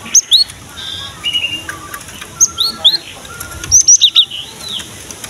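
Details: Vigorous gelatik batu (cinereous tit) song used as a lure to get young males and females singing: bright high chirps and rising slurred whistles in scattered clusters, a softer lower warble between bursts, over steady hiss.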